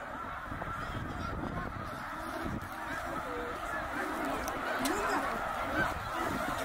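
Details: Huge wild flock of snow geese, some eighty thousand birds, gathered at Middle Creek, Pennsylvania, in 2023 during migration back north; a dense, unbroken chorus of overlapping nasal honks and yelps, with no single voice standing out.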